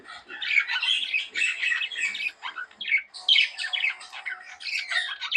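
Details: Pet budgies chattering indoors in a dense, continuous jumble of high chirps, warbles and squeaky notes, with several birds overlapping in bursts and short gaps between them.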